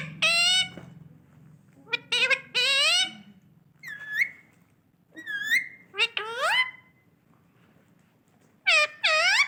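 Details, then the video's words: A pet Indian ringneck (rose-ringed) parakeet calling out to everyone, giving loud, harsh, rising squawks and whistled notes in short bursts, some drawn out and slurred, over a faint background hum. "Best ringneck Indian parrot calling everyone"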